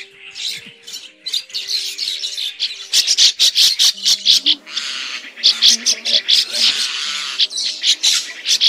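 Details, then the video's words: Migrating red-billed starlings used as a lure for net trapping: dense, harsh, high chattering from many birds, with rapid overlapping squeaks and bursts, faint low steady tones beneath. "Tiếng Bẫy SÁO ĐÁ mỏ đỏ di cư"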